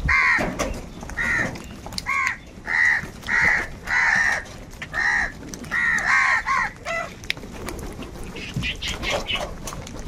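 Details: Crows fighting for food, giving loud, harsh caws in a rapid series of about a dozen nasal bursts over eight seconds, with a faint background hiss and scattered clicks.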